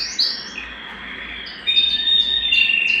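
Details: Excited canary wanting to mate, giving a few chirps and soft rolling notes, then a clear, sustained whistled tone.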